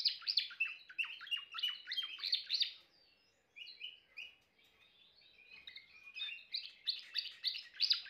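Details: Timbrado canary singing a loud, dense rolled trill, dropping into quieter sliding whistles and soft twitters, then returning to strong rapid pulsed phrases.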